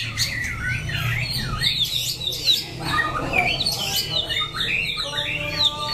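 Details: Song of a White-rumped shama, Daklak, Vietnam, September 2015, made of quick looping whistles and down-curving slurs delivered in busy bursts, with a steady low hum in the background.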